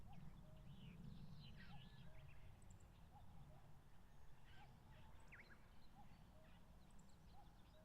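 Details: Common cuckoos engaged in territorial disputes on wide grassland at the foot of Mount Fuji, Japan, late May; soft two-note cuck-oo calls repeat steadily through the clip beneath busy, higher chirping and warbling of other birds.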